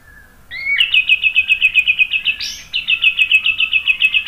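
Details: White-rumped shama song used as a lure for other singing birds: a soft low whistle, then a fast, even string of high repeated notes, broken once by a harsh burst, before continuing.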